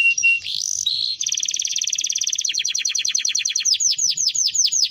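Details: Timbrado canary singing: a rising whistle, then a long rapid rolling trill that gradually opens into repeated falling sweeps, clean with almost no background noise.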